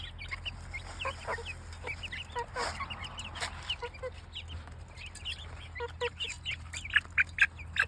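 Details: Chicks peeping busily: a crowd of high, quick, slurred cheeps tumbling over each other, some louder chirps rising toward the end, over a constant low hum.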